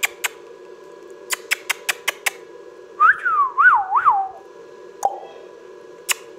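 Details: Ringneck parrot kept as a pet, giving a few soft clicks, then a looping whistled phrase of three rising and falling swoops, followed by a short falling note and more clicks, with a constant low hum.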